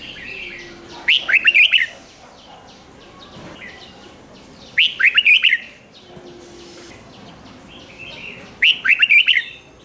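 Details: 'Rik' song of a Red-whiskered bulbul, used to make caged birds lively: three matching bursts of rapid warbled notes, each under a second, repeated roughly every three and a half seconds, with faint chirps in between.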